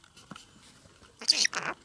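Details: Male green-cheeked conure Haru says "iiko" ("good boy") in two quick, raspy, high-pitched bursts, a phrase tied to being scratched; a faint click comes just before in a quiet room.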